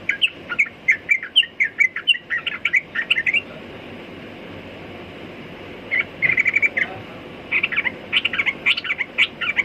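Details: Sooty-headed bulbul with a fast, chattering series of sharp chirps for about three seconds, a quiet gap, then further bubbly phrases toward the end.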